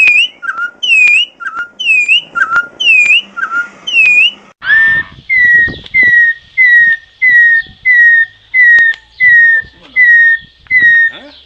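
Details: Troupial song: first a run of paired whistles, a high slurred note then a lower short one, repeated steadily, then a series of about ten clear downslurred whistles given evenly about twice per second.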